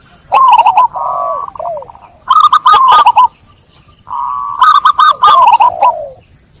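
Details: Zebra dove song played as therapy for trap-stressed doves: a steady held tone, then clusters of fast, stuttering coo notes, repeated three times over several seconds.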